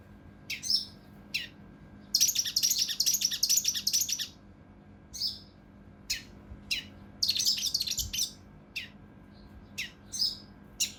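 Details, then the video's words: Cucak rante mas (mountain leaf warbler) in the 'kinoi emosi' rough, rapid-fire style used for training competition birds: scattered sharp high chirps broken by two dense, buzzy rattling bursts. "KINOI EMOSI | TEMBAKAN KASAR RAPAT UNIK | SUARA CUCAK RANTE MAS UNTUK MASTERAN BURUNG LOMBA"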